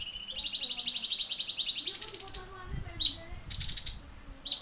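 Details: Cucak cungkok singing full tembakan bursts, recorded as a training tutor track; a fast, pulsing high buzzy trill runs for over two seconds, then sharp separate chirps and another brief buzzy burst.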